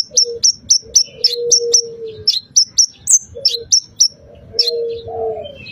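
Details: Bar-winged prinia song played to stimulate another bird to sing: sharp, high, downslurred chirps repeated in quick bursts about three or four times a second, over low, soft dove-like coos in the background.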